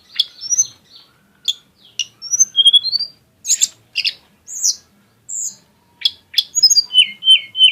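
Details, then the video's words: Varied lesser shortwing song in exotic style: short high whistles, slurred upward squeaks and sharp chips in loose irregular sequence, ending with a run of quick falling notes. "kicau tledekan gunung yg punya gaya exsotis dan tembakan yg mewah"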